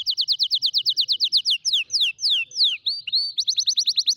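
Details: Singing canary, recorded as a tutor for young canaries learning song: a rapid high trill gives way to slower drawn-out descending slurred whistles, then a new quick rolling trill.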